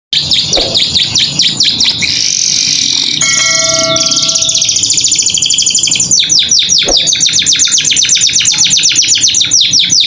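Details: Canary singing nonstop in a varied, filled style, a master recording for young captive birds learning song: fast chains of descending chirps, a buzzy stretch, clear steady whistled tones, then a long rapid trill of repeated notes.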